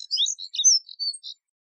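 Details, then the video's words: Short burst of Moussier's redstart song: a few quick high scratchy notes and slurred whistles, ending abruptly. "Colirrojo Diademado Canto! Colirrojo Diademado Llamado! Voz! Sonido!"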